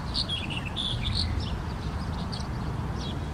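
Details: Black-headed bunting in Aktau giving short, high chirping notes, several quick ones early then a few sparse ones, over a steady low rumble of wind.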